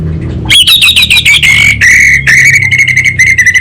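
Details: Loud, close orange-headed thrush giving a harsh, rapid series of buzzy notes that settle onto a lower, steady tone, a short-circuit-like 'kabel konslet' phrase.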